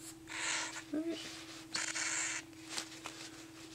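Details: Hand-fed cockatiel chicks, one on its second day of syringe feeding, beg with raspy, hissing bursts, each lasting under a second, over a steady low hum.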